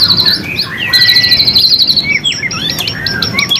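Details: White-rumped shama singing, used as a lure to rouse other shamas: sustained high buzzy trill, then a string of clear, sharply slurred whistles, some rising and some falling.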